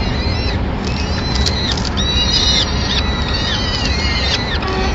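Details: Peregrine falcons at a nest in Madrid on 25 April 2016, the male on guard as the female arrives with a pigeon to feed the chicks; thin, faint whistled calls with falling ends repeat throughout over a steady low rumble.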